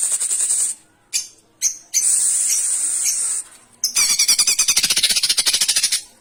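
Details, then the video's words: Greater green leafbird song played to trigger other birds to sing, a harsh full-volley style: loud, high shrill bursts broken by short gaps, ending in a fast stuttering run of rapidly repeated scratchy notes. "pancingan cocak ijo fuul tembakan kasaran"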